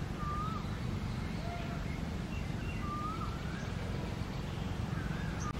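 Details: Yellow-footed green pigeons feeding on fruit in a tree: clear whistled notes that swoop up and down, given in short phrases a second or two apart, over a heavy low rumble of wind or traffic.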